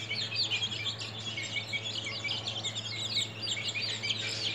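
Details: Group of 13-day-old domestic chicks peeping continuously, many high, thin overlapping chirps in a dense chorus over a low steady electrical hum.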